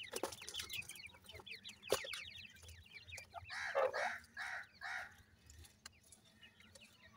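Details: New-season grey francolin chicks give quick, high, down-slurred peeps, then a run of four louder, harsher, broad rasping notes about half a second apart, with scattered clicks.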